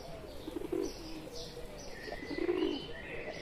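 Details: Two short low pigeon coos near the middle and end, from wild pigeons joined by a pet one in India, with clearer chirps and a long whistled note of another bird.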